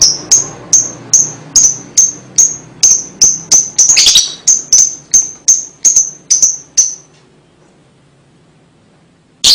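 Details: Lovebird calling, clearly recorded to stimulate young birds: a steady run of sharp, high chips about twice a second with one brief chattery flourish, then near silence and a final chip.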